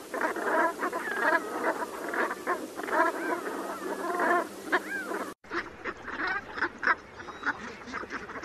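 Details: Brant goose flock giving a steady stream of short nasal honks and gabbling notes, a brief break partway, then more scattered calls.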